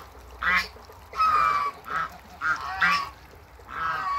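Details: Pair of African geese at a waterbird farm giving nasal, somewhat duck-like honks, five or six calls of varying length, some with a rising tone.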